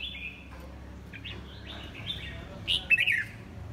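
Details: Red-whiskered bulbul of the "pháo cối" variety with a stiff, spread crest, singing soft whistled phrases that build into a louder warbling flourish near the end, over a steady low background hum.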